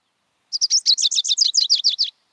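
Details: Rufous-crowned Sparrow song: a fast, chattery, jumbled run of about a dozen high notes in under two seconds, tumbling like a rock bouncing down a hillside, then coming to rest with a sharp click-like chip note.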